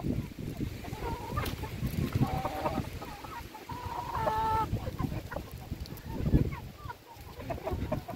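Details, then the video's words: Hens at feeding, intermittent clucks and one longer nasal drawn-out call midway, with rustling and knocking sounds around. "alimentando mis gallinas"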